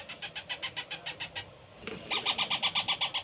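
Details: Young parrot chick during hand-feeding, making rhythmic raspy begging notes about four per second, softer at first, then louder and brighter after a brief break, with low room noise underneath.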